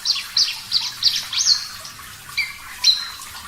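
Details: Clear, vigorous song of a Parva-type Javan bush lark on a bird-training recording: several rapid high downslurred chips, then two longer, lower flat whistles, over light background hiss.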